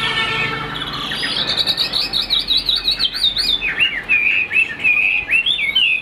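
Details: Cage-kept Chinese hwamei delivering a rhythmic chain of wavy whistled notes, then brisker repeated upslurs, singing steadily throughout.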